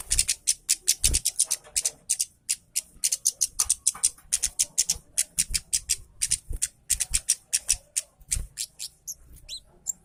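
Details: Orange-headed thrush singing steadily, played to prompt reluctant birds of its kind to sing. Quick, sharp, high chips and whistles repeat almost without pause for ten seconds, with a few soft low knocks in the background.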